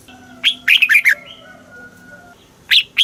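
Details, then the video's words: One bright red-whiskered bulbul phrase, a rising whistle and a quick run of falling slurred notes, then two more rising notes, recorded in the southern master style played to stimulate caged birds. "เสียงนกกรงหัวจุก ร้อง ริก เปิดให้นกฟัง ยั่วให้นกคึกจัด chao mao hot, chào mào hót"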